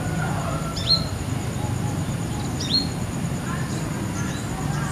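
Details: Young female Brown-throated Sunbird perched wild on a guava branch in the evening, calling to her companion in a village: two thin, high, downslurred notes about two seconds apart over a steady low rumble.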